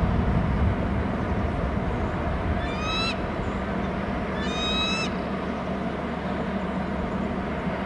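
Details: Nest-camera recording from Hornby Island of a bald eagle chick calling while the father arrives with food: two short bursts of high, piping whistled notes about two seconds apart, with steady low background rumble.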